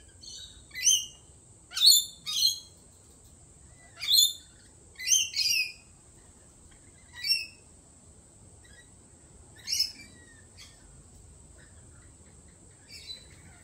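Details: Lorikeets at a cafe: harsh, shrill screeches in short bursts, some doubled, sounding irregularly about every one to two seconds with pauses between, over a steady high electrical whine.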